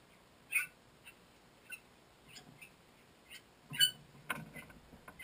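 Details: Captive 25-day-old Bali starling (Leucopsar rothschildi) chick about to fledge, 28 June 2014, giving a few sharp, high chirps at irregular intervals, two louder than the rest, with a soft rustle near the end.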